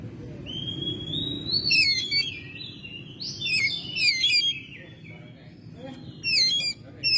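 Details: Oriental magpie-robin kept at home, recorded in May, singing a varied run of clear whistles, slurred rising and falling phrases and scratchy chattering bursts, with brief pauses between.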